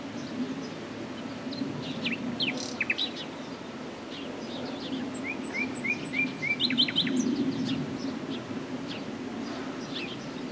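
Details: Common nightingale song half-buried in steady low noise: a series of five clear, rising whistled notes, followed by a quick, higher rattling trill and scattered sharp notes.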